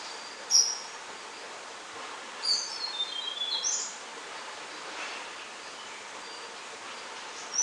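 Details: Tickell's blue flycatcher (Cyornis tickelliae), alert and calling one hop from its shelter: high, thin whistled notes, a sharp chip, then a short descending run of sweet notes, over steady hissing background noise.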